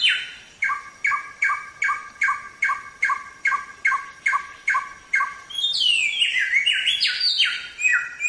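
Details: Black-throated Laughingthrush song for training songbirds: a two-part note repeated about twice a second about ten times, then a rapid, jumbled burst of high, varied whistles.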